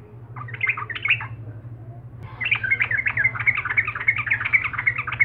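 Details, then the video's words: Sooty-headed bulbul, local name trucukan, an energetic lure bird said to provoke rivals, caged or wild; a short burst of chattering notes, a pause, then a long run of bubbly, jumbled whistles with a steady low hum beneath. "trucuk gacor.. liarpun pasti nyambar.."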